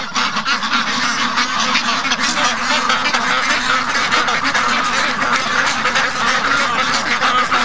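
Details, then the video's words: A large flock of 55-day-old domestic ducks, noisy and excited in the early morning while waiting to be let out; dense, continuous chorus of harsh overlapping quacks and honking calls with no pauses. "Morning Rush I Slept In & The Ducks Were Not Amused With This At All"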